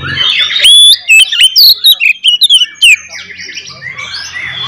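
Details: Oriental magpie-robin singing a fighting song to rile rival magpie-robins, loud sweeping whistles and rapid sharp chips in quick succession, then softer twittering warbles toward the end.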